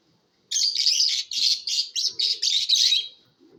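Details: Competition lovebirds give fast, scratchy high chirps run together in a three-second burst, about four notes a second, with a rasping, buzzy quality.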